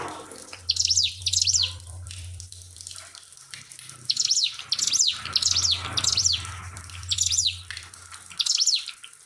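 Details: Pied fantail master song with trickling water added: sharp, high whistled notes, each rising then falling, in quick pairs or triplets with pauses between bursts. A low steady hum and running water continue underneath.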